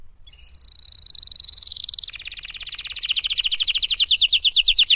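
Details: Canary singing a bright, high song: a sustained whistled phrase around the first two seconds, then a fast buzzy trill of rapidly repeated notes that grows louder and quickens toward the end.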